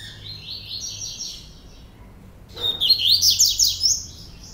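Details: Brazilian aviary double-collared seedeater singing procurador: a soft, buzzy trill of high notes, a short silence, then a louder, energetic burst of rapid, rising and falling chirps.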